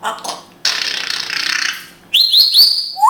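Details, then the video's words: Grey parrot kept as a pet in Israel, known for speaking Hebrew: a hissing, breathy noise lasting over a second, then three quick high whistles with upward hooks and a final lower rising whistle. "Funny Grey African Parrot speaking hebrew"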